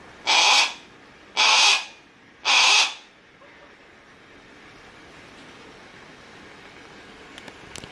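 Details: Harris's hawk in captivity at a Japanese bird park, Kakegawa Kachoen, calling often: three rough, raspy shrieks in quick succession about one second apart, then quiet with a few faint clicks.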